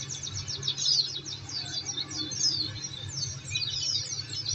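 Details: Oriental white-eye song played to provoke caged birds into answering: quick high chirps and short descending slurs in lively bursts, over a faint constant hum.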